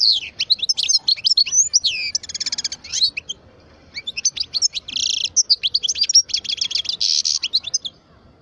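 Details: European goldfinch, parva, twelve years old, delivers a lively unbroken song of fast liquid twitters mixed with several harsh buzzing trills, pausing briefly before resuming its tumbling chatter.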